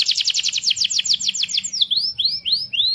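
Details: Canary in full song, meant to stimulate other canaries to sing: a quick run of descending trilled notes, slowing into a few separate rising, arching whistles.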